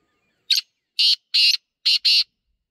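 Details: Black francolin calling in the wild: five harsh, rasping bursts in quick succession over about two seconds, the last two almost run together, with a quiet background and no other sounds.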